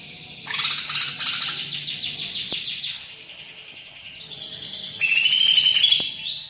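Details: Greater green leafbird singing vigorously with rich mimicry: harsh rapid buzzy chatter, then high whistles, stepped notes and a falling whistled phrase.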